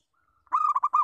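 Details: Local zebra dove giving its lure call: a soft, level lead note, then a quick burst of about five rolling, staccato coos in a mid-pitched hollow voice, all within half a second. The background is quiet.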